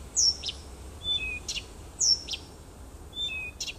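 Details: Nightingale singing in a small wood near a house on 30 June 2015: a high descending whistle, a sharp broadband click and two flat lower whistles, the phrase given twice over four seconds against quiet background hiss.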